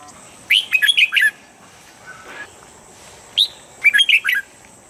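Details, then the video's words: Red-whiskered bulbul song, a standard voice for training birds each morning to get them fired up quickly. Two bright, quick warbled phrases of five or so sharp chirping notes, separated by a pause with a faint low murmur. "Luyện giọng chào mào âm chuẩn mỗi sáng giúp chim nhanh căng lửa"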